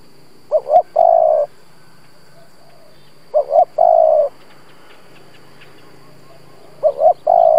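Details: Decoy spotted dove cooing to incite wild doves: three evenly spaced phrases, each made of two brief hollow notes and a sustained lower coo, with quiet gaps of about two seconds.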